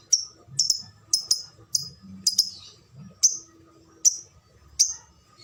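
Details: Contest lovebird doing ngetik: crisp high single and double chirps, irregularly spaced roughly every half second, with quiet hum and faint speech underneath.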